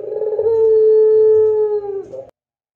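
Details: Barbary dove, pelung style, cooing for use as a master recording for other doves: a single long, pure, level coo of about one and a half seconds, dipping briefly at the end before a short final note, then silence.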